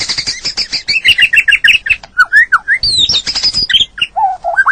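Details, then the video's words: Training song of a white-rumped shama meant for shaping caged birds for daily keeping or competition: fast chattering notes, buzzy slurred phrases and rising whistles run almost without pause, ending on lower steady whistled notes. "Masteran Burung Murai Batu full durasi+Isian mewah!!!"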